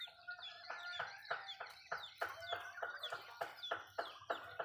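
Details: Malay chickens eating food in a home backyard; sharp pecking taps repeat about three times a second, steady and close, mixed with small clucks and thin chirps.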